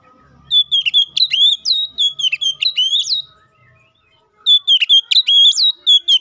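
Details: Oriental magpie-robin in loud 'gacor ngeplong' song, calling a rival, used as a lure to get other magpie-robins singing: bursts of sharp whistled upswept notes, a pause near four seconds, then another rapid burst.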